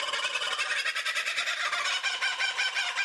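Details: Loud, harsh kookaburra cackling in a thick, busy chorus of rapid laughing notes with no pauses.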